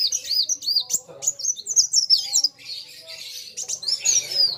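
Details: Kolibri wulung sunbird in full song, facing an equally vocal rival. Rapid high chirps and quick up-and-down sweeps tumble together in dense, irregular phrases, with faint low background noise.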